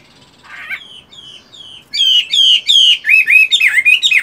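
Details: Chinese hwamei kept caged as a fighting bird, singing in the morning despite its moult: a few soft, thin whistles, then loud, rich, quickly repeated whistled phrases sweeping up and down.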